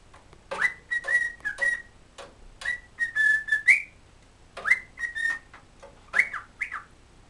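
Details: A happy pet cockatiel sings a whistled tune its owner taught it ("Kotori no uta", pipipi chichichi pichikuripi): bursts of clear, level notes, some sliding upward, each opening with a scratchy click, over about seven seconds.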